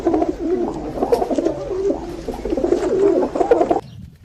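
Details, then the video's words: Pigeons heard in a steady stream of low, throaty, rolling coos that overlap almost without pause, with several birds seemingly calling at once until the sound stops near the end. "Amazing Pigeon Natural sound|| Natural sounds of Pigeon birds"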